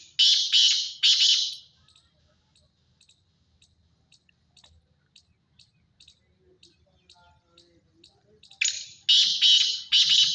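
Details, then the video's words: Black francolin calling: a run of three harsh, grating, buzzy notes, then a pause with faint ticking sounds, then three more loud rasping notes. "Kala teetar ki masti wali awaz"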